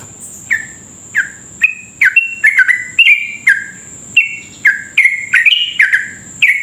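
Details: Sooty-headed bulbul giving a long, rapid 'ropel' song meant to provoke other bulbuls to sing quickly; spaced bubbly slurred notes speed into rolling clusters, with a constant high-pitched electronic whine behind.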